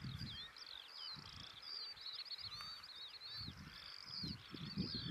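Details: A Woodlark, singing from a tree above a sandy path in East Anglia in the early morning, pours out a steady stream of liquid, looping, high-pitched notes without a break, over low gusts of wind rumble.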